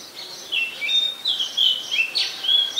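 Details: An Oriental magpie-robin sings in Ubon Ratchathani, Thailand, on 20 September 2022, captured on a Nikon P1000: a continuous string of sweet whistles, swooping up and down with short level notes in between.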